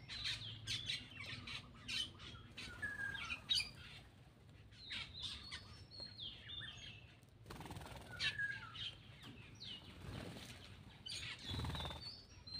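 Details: A Black-winged myna at its food gives a long, varied chatter of scratchy squawks, clicks and short whistles, broken by a few loud broadband noise bursts partway through.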